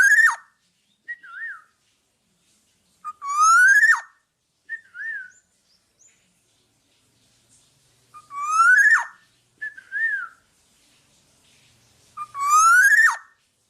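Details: Black-naped oriole singing, recorded as a master voice for other birds: loud nasal calls rising in pitch, each near one second, alternate with short wavering fluty whistles, with clear silences between phrases.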